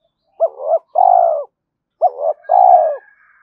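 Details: Spotted dove decoy calling to draw in other doves. The same two-part phrase is given twice, about two seconds apart: a double-humped coo, then a long hoarse coo. A faint higher call is heard in the background.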